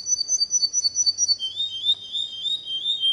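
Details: Canary singing a training song for young birds: quick high trilled notes, then a lower rolling tour of fast repeated syllables, clear and loud over faint background hiss.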